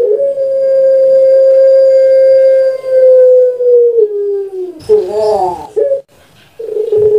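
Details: Caged puter pelung dove from Java, Indonesia, kept as a pet for its long voice: one drawn-out level coo held nearly four seconds, sliding lower, then a rolling burbled phrase and a short note, in a small room.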